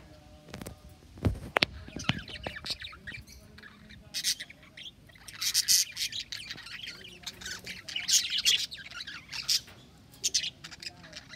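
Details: Several budgerigars in an aquarium display in Mysore, India, chatter in overlapping bursts of harsh, scratchy squawks and high chirps.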